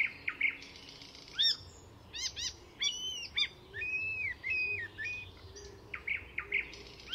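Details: Icterine Warbler mimicking other species at Fysingen reserve north of Stockholm, Sweden: sharp descending chips, buzzy stacked notes and looping whistled phrases, separated by short pauses.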